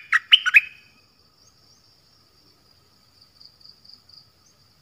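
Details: Thai nok dok taeng singing a short phrase of three or four loud, sharp chirps, followed by a long quiet stretch holding only a faint, steady high-pitched tone.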